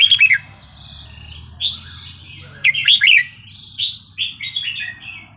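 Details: Red-whiskered bulbul in Burmese regional song, 3-4-5-6, used to teach young birds. Loud opening warble, then short whistled phrases, a dense bubbly burst midway and more quick notes over faint hum.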